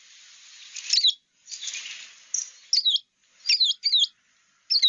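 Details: American Tree Sparrow calling at wintering grounds in wet meadow with wool grass and cattails, where they call more than sing: high, thin twittering calls in quick bursts of zigzagging chirps over a steady hiss.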